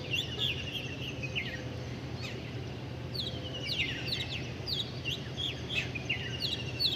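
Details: Busy bird chirping, repeated sliding high tweets about three per second from several birds, above constant low hum.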